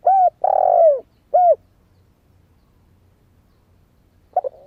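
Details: Young spotted dove in Vietnam, newly started singing, used as a lure for wild doves: three low, hollow coos, a long wavering middle note between two shorter ones, then a brief start of the next phrase.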